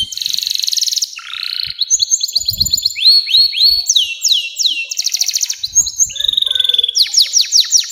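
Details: Canary delivering a long song to encourage young canaries to sing: buzzy opening, then rapid trills and a run of swooping whistled slurs, with a few soft low thumps.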